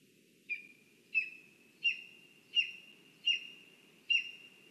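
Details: Lesser spotted eagle at its nest in a spruce in Zemgale, Latvia, on a live nest camera: a series of six high, clear yelping notes, each sharply struck then trailing off level, about every 0.7 seconds, over a low steady rumble.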